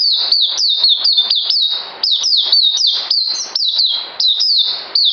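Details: Captive songbird awaiting deworming, recorded 9 December 2018: quick, loud, high-pitched chirps that drop then flatten, delivered in a tight stream with brief pauses around the middle of the phrase.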